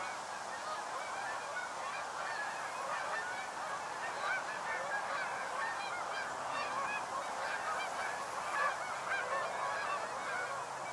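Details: North American Canada geese flying in to a stopover in the northern USA during fall migration, a flock honking continuously in an overlapping chorus of nasal calls throughout, with no pauses and soft background hiss.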